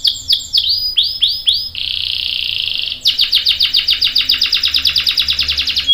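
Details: Canary singing in a gacor style meant to lure other canaries into replying: fast descending whistled notes, then a long buzzy trill near two seconds, followed by a rapid even series of repeated sweeping notes.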